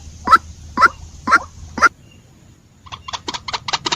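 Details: Four clear, evenly spaced nasal notes about half a second apart from a white-breasted waterhen, followed by a faster, quieter series of short clicks over a low background hum.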